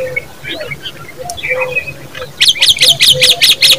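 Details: Common babbler chicks calling: faint scattered chirps at first, then a loud burst of harsh, rasping notes repeated rapidly, about two to three per second, through the final second and a half.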